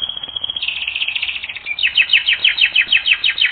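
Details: Canary on a training recording: a thin, steady high whistle, then a warbled roll, then a run of rapid downslurred notes repeated about every quarter second, growing louder.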